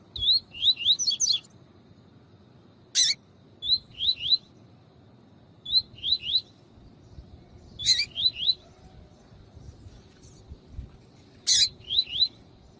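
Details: Male double-collared seedeater singing as a tutor bird, with a female calling, to warm up other males: short groups of two or three quick buzzy notes repeated every two seconds or so. Sharp loud clicks are heard in between.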